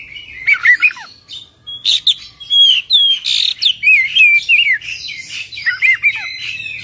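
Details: Loud, rich song of an Oriental magpie-robin, known as kacer, delivered in full: rapid sequence of clear whistled slurs, trills and sharp chips repeated in short bursts, almost without pause.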